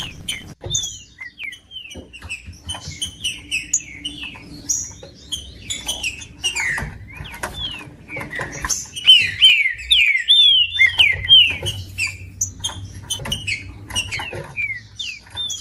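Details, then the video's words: Green-winged saltator song played to warm up a cold bird: a busy jumble of slurred whistles and chirps, with a run of loud, clear, falling whistled phrases in the second half and a low hum underneath. "MELHOR VÍDEO PARA ESQUENTAR TRINCA FERRO COM TRINCA FERRO CANTANDO"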